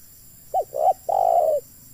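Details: Spotted dove used as a decoy to lure wild doves into a trap: one soft, low cooing phrase of a short note, a swelling note, then a longer drawn-out coo, over a faint steady background hum.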